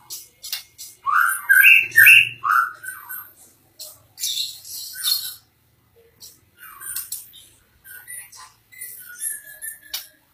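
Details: White-rumped shama singing vigorously: scattered clear whistled phrases mixed with short buzzy and chattering notes, broken by brief pauses.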